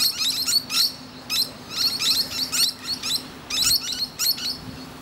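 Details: Perched musk lorikeet chatting to other birds: rapid runs of piercing, shrill chirps and squeaks, grouped in irregular bursts roughly every second, with a faint continuous low hum behind.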